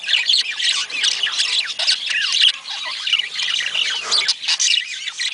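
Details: Breeding-stimulation budgerigar chorus: unbroken, lively warbling with rising and falling chirps and raspy squawks, many overlapping notes keeping a high, even loudness.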